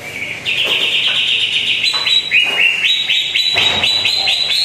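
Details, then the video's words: Lure recording of greater green leafbird song to prompt a quiet bird: after a thin opening note comes a steady, fast sequence of high whistled upslurs and chirps, some dropping in pitch. "PANCINGAN CUCAK IJO ANDA YANG JARANG BUNYI"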